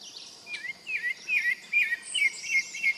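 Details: Pale-breasted thrush (Turdus leucomelas) singing short, slurred, chirpy phrases, about two each second, over a steady high hiss of insects.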